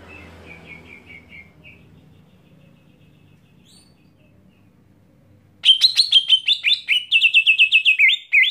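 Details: Greater green leafbird's scream, meant to agitate rival leafbirds. Soft, faint chips open the clip, then after a silent gap comes a sudden loud burst of piercing, rapidly repeated notes. Each note slurs and drops slightly in pitch.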